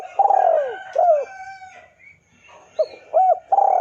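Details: Lure call of a spotted dove to provoke a rival: a long downslurred coo and a shorter hooked note, a pause, then stuttered notes rising into another drawn coo.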